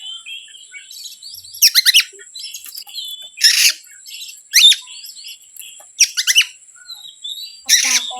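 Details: Oriental magpie-robin, a lure song to rile other birds: soft chattering whistles interrupted about every second by loud harsh rasping bursts, six in all, with a steady thin hum behind.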